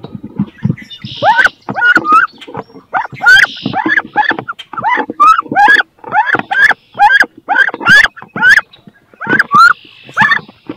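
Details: A pair of female wood ducks clashing in a nest box, both intent on laying there; rapid series of rising, whining squeals, roughly two per second, with scuffling and flapping noises.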